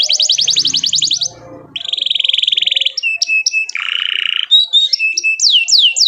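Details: Canary singing a chirping song used to provoke other canaries into singing: a fast trill of high repeated notes, then a long buzzy rolling trill, sharp whistled chips and a lower buzzy roll, ending in rapid downslurred whistles, with faint background noise at first.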